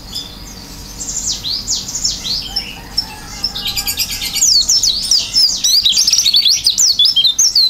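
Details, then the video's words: Oriental white-eye pouring out filled gacor isian song with beak open. Softer, hurried high warbling builds into a louder, denser run of zigzagging whistled notes that continues to the end. "pleci gacor isian buka paruh"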